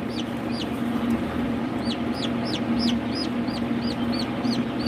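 Ayam Cemani chickens give high, thin peeps that arch up and drop, several overlapping at a quick pace, over a steady low hum.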